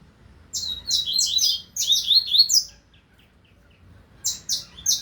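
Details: Double-collared seedeater singing in the 2025 season: a fast series of sharp, high notes flowing into rising buzzy slurs, a silent pause, then three more clipped high notes.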